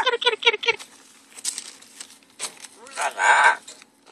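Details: Pet double yellow-headed amazon parrots, two birds: four quick repeated nasal syllables, then soft rustling and mutters, ending in a loud rough squawk with a low steady hum underneath.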